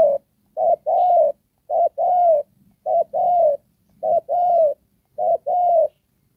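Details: Spotted dove serving as a ground decoy for trapping, singing its Đồng Pha coo: five even two-note phrases, a short coo followed by a longer gently falling one, roughly one phrase per second, clean and loud.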